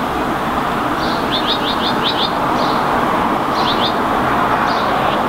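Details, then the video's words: Common whitethroat perched in a tree in Helsinki, Finland, in May 2019, singing a brief, fast, scratchy phrase of high notes, then two shorter bursts, over a steady roar of road traffic. "Common Whitethroat perching in the tree; vocalizing, incl. singing"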